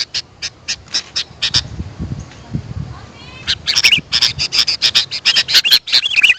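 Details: Sooty-headed bulbul calls for luring wild birds. Several sharp chips are followed by a short lull with low background rumble, then a quick burst of chattering notes and bright twisting whistles.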